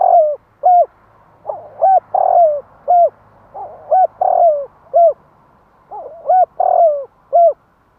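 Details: Spotted dove cooing to provoke and draw in wild doves. Low, hoarse phrases of several short hooked coos around one longer, drawn-out falling note, repeated three times in quick succession against a quiet background.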